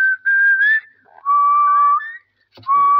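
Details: Pet parrot talking with its owner, giving clear tonal whistles: a level note, a rising note, then a long steady whistle and a short final one, each separated by brief pauses.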